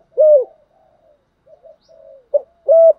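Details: Spotted dove used to lure wild doves and train decoys. A single buzzy falling coo, then faint soft murmurs, then a short clipped note and a level whistled coo at the end.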